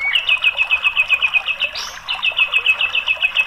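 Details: White-rumped shama song used to coax a quiet bird to sing: a rapid steady series of sharp high chipping notes, about three or four per second, briefly broken by one buzzy higher note midway.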